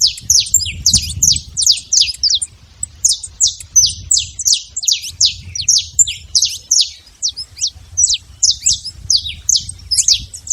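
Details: Wild saffron finch singing free in nature: a fast, steady run of sharp, descending high chirps, nearly three per second, forming a bright rattling song; low rumble of wind or distant background noise underneath.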